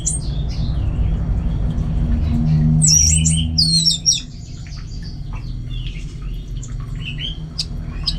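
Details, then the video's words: Orange-headed thrush kept at home, giving scattered high chirps and short whistled phrases, loudest in the first half, over heavy low rumbling noise. "Super Kicauan ANIS MERAH Gacor"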